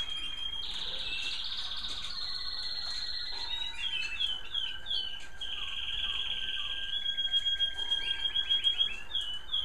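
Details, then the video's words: American Singer canary song from birds kept in home bird rooms in the evening: long rolling trills, sustained whistled tones and rapid repeated notes that shift pitch in series, with faint twitters from other canaries behind. "Some beautiful canary sounds from my bird rooms"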